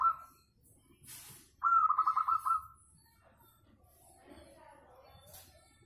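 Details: Local zebra dove with a sweet voice, used as a lure to prompt other doves to sing: a short coo note, then a rolling, trilled cooing phrase of about one second, with faint rustles and soft background murmur.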